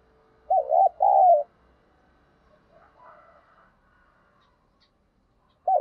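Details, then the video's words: Spotted dove cooing used as a lure to provoke wild birds. One gentle phrase opens with a quick double coo and ends in a longer falling coo. Faint background murmur follows before the next phrase begins. "tiếng cu gáy mồi giọng hạp bổi dùng kích bổi rất hiệu quả"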